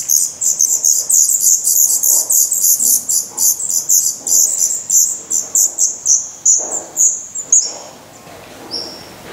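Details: Nestling Black redstarts in Portugal in mid-May 2020, recorded close to the nest, beg with a dense stream of very high, thin, hissy notes, several per second, fading out near the end.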